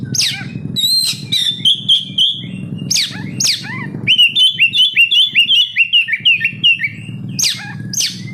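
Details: Captive oriental magpie-robin singing as a lure for other kacer: loud whistled notes sliding down, then a fast run of short rising chirps repeated about two to three per second, ending in more falling whistles.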